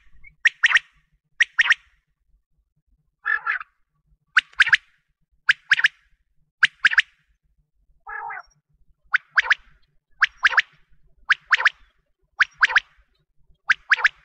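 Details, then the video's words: Common quail calling, used as a hunting call: sharp, liquid three-note calls about once a second, with a few softer, lower nasal notes between phrases. "Batair ki awaaz||Bater ki awaz||Quail sound"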